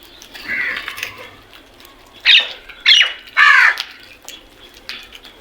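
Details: Morning crow calls: a softer rasping note, then three loud, harsh caws about half a second apart, each slightly falling, with faint chirps of other birds behind.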